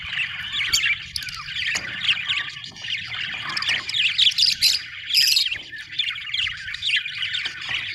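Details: Several budgies warbling together in a rich, rapid babble of chirps, squeaks and high whistles, louder in the middle.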